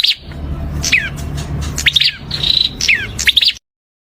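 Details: Prinia giving lively chirping song: clusters of high, sharply falling notes and one sustained thin tone, then the sound cuts off abruptly near the end.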